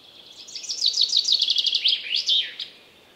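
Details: Wild common chaffinch singing one full phrase: a rapid run of bright, sweet notes falling in steps through a descending rattle, closing with a quick flourish, about two seconds long, over faint background hiss.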